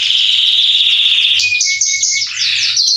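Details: Singing male Belgian canary warming up: a sustained loud buzzy trill, then thin pure whistled notes on one pitch, ending in higher rolling trills.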